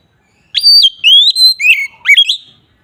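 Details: Oriental magpie-robin singing in the loud, clear 'ngeplong' style used to lure other magpie-robins: a run of pure whistled notes, high steady tones sliding down, then quick rising and falling twists, with no other sounds.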